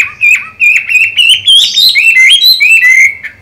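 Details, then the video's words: Moulting caged Chinese hwamei with green-bean eyes, still in good form: loud, continuous, rich whistled song with quick rising and falling slurs, delivered without pause. "Họa mi hót hay, mắt lục đậu, vẫn phong độ khi thay lông"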